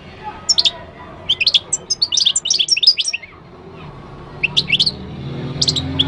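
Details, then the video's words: Moroccan goldfinch singing: bursts of bright, rapid twittering notes high in pitch, with tinkling trills and buzzy elements, pausing briefly between phrases; low background hum throughout. "تغريد الحسون المغربي chant de chardonneret marocain"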